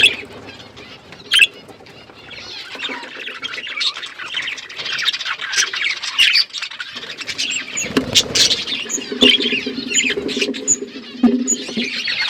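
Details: Outdoor aviary holding a flock of budgerigars, their busy warbling chatter building from quiet to full, with a low humming background sound appearing in the later part.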